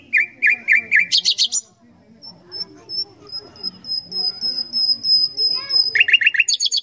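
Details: Common nightingale song opening with a quick string of repeated notes and a buzzy high trill, then a long series of thin, piping high whistles rising in volume, ending in rapid chattering notes.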